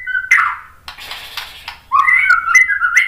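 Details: White-rumped shama lure recording: a short warble, a harsh raspy passage, then clear whistled notes sliding between two pitches.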